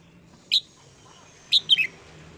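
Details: Red-whiskered bulbul singing in the morning, used for voice training: one short sharp whistled note, then a quick three-note warbled phrase dropping in pitch, over a quiet background hum.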